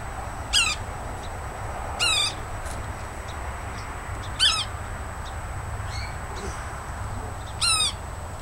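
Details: Yellow-bellied sapsucker (Sphyrapicus varius) frequenting a tree next to a house in Woodlawn, Montgomery County, Tennessee, giving four harsh nasal squealing calls at uneven intervals over a steady high insect-like whine and low rumble.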